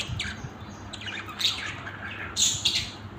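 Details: Budgerigars from a family group give short, sharp chirps and squeaky notes in scattered bursts, a cluster of piercing high chirps near the end.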